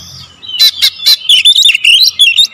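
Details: Magpie-robin song in a short burst: three sharp, explosive notes followed by a quick, tumbling run of warbled whistles.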